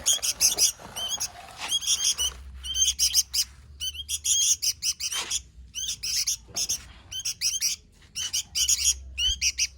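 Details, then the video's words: Sooty-headed bulbul singing actively, gacor style: repeated bursts of quick, sharp chirps separated by short pauses, with occasional soft rustling between phrases. "Suara Burung Kutilang Gacor"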